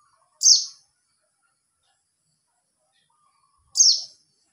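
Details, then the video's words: A white-eye gives high, thin descending chirps meant to call other white-eyes, two clean notes spaced about three seconds apart with nothing else heard. "memanggil Pleci Lain"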